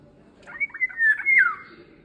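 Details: Indian golden oriole singing a clear flute-like phrase: several brief rising and falling notes, then a sustained whistle that glides down at the end.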